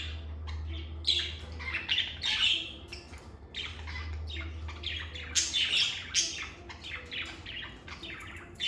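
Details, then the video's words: Lovebirds singing and chirping in a calm, stress-free environment: dense, overlapping chatter of shrill, rasping chirps and squeaky notes, fast and irregular, with a low humming drone at times. "Lovebird Singing & Chirping Sounds"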